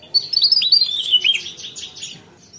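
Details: Javan tesia (Tesia superciliaris) singing a rapid, high jumble of sweet whistles and twittering notes that tumble and rise and fall for over two seconds before fading.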